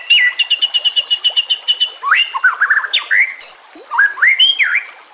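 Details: Song of a white-rumped shama, meant as a training model for young birds, over a background of running water: a rapid rattling series of clipped notes followed by looping, rising and falling clear whistles.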